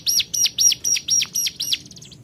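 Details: Calling to rivals, a hill prinia gives seven strong arched notes, each a quick rise and fall, spaced about a quarter second apart, fading into soft rapid ticks at the end.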